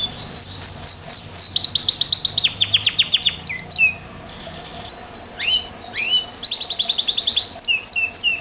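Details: Belgian Bossu canary song with fast rattling trills of repeated high notes, short pauses, then upswept whistles and another rapid chirping trill, loud and close in a quiet room.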